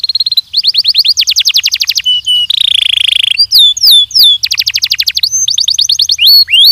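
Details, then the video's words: Belgian canary training song, loud and varied: fast rolling series of downslurred chips, a long buzzy trill, slurred whistles and further chip runs in close succession. "ESPETACULAR canário belga,,! 30 MINUTOS DE TREINAMENTO DE BELGIUM CANARY VOCÊ VAI CANTAR MUITO"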